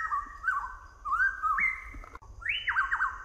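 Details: Southern variable pitohui (Pitohui uropygialis), song.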